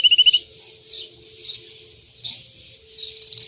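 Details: White Belgian canary, described as differentiated, giving a short bright trill followed by soft separated warbling notes spaced about half a second apart, ending in a rising rapid trill; faint low hum underneath.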